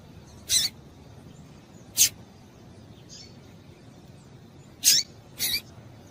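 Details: A female Double-collared seedeater calls to excite males with sharp, high chips, four main notes with uneven gaps, the last two close together, over a low constant hiss.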